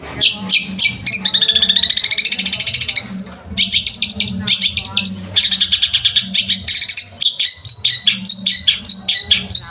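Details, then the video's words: Long-tailed shrike song used as a master recording for teaching other birds: bursts of sharp high chirps, long rapid rattling trills and a brief pure whistle, a low hum underneath throughout. "MASTERAN BURUNG CENDET"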